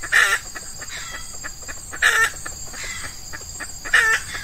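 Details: Red junglefowl lure session with an F1 female decoy attracting an old wild cock, early morning, hot weather, Ramadan breeding season; three loud short calls roughly every two seconds, soft ticking notes between, insects buzzing throughout.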